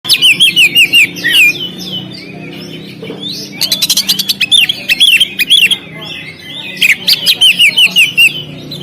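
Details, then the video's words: Oriental magpie-robin (kacer) singing on the contest stand: loud, varied phrases of whistled, slurred notes and sharp chirps in quick bursts, with brief pauses; faint background hum. "SUARA BURUNG KACER, Langsung on di gantangan"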